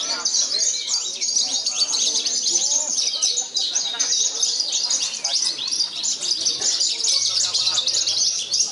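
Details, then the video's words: Contest Javan bush lark in Purworejo that took first place despite strong wind; a fast, unbroken stream of high chirps, trills and squeaky notes, with a faint low hum late on. "BRANJANGAN PARVA "CANON" HARUMKAN KOBRA PURWOREJO"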